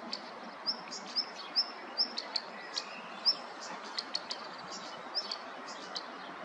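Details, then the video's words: A small bird sings high, thin chirps and short rising notes, about two per second, over a steady background hiss. "Little bird sings a nice song"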